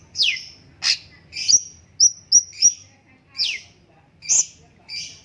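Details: Cucak cungkok bulbul calling with loud, high, downslurred chirps and a trio of short pure whistles, in an irregular sequence about a second apart.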